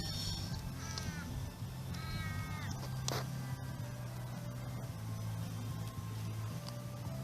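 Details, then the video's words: A turkey gives two drawn-out, slightly falling nasal calls about a second apart, then a sharp knock, over a steady low rumble. "Turkey Call"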